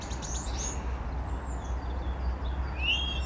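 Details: Common starling imitating a grey partridge on 10 April 2021: a few thin high squeaks, then a harsh, creaky partridge-like note, over a steady low rumble of wind or distant traffic.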